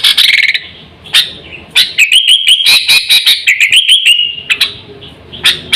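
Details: Sooty-headed bulbul giving a lively lure call used to pull in birds and tutor pets: scattered chips, then a rhythmic string of clicking notes over rising-and-falling whistles, quieting toward the end.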